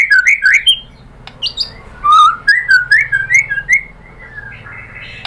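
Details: Murai batu, the white-rumped shama, singing a lure song meant to make other shamas respond: sweet slurred whistles in short phrases, then a string of rolling descending notes before the song goes quiet.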